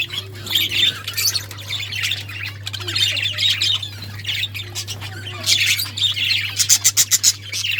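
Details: Budgies squawking and chirping in rough, high warbled phrases, ending with a fast series of sharp, evenly spaced clicks, over a steady low hum.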